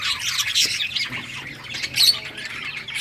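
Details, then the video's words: Playing budgerigars give harsh, squawky high chatter in uneven bursts, loudest around the middle and near the end, with faint low background noise. "Budgies playing and chirping"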